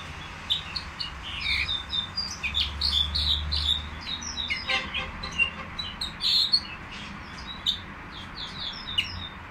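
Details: At the Qriaa bird market, a caged nightingale sings dense, overlapping twitters and whistled notes with a few harsh rasping bursts, over a low humming market background.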